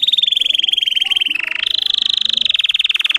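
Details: Singing Russian canary, a breed raised for song, delivers a sustained rapid trill of rolling repeated notes that dips briefly in pitch midway before rising and continuing steadily.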